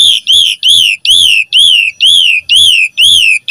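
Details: Asian pied starling singing full gacor phrases to coax other starlings into song: a rich, arched whistle with strong overtones, repeated roughly twice a second in a regular string of eight notes.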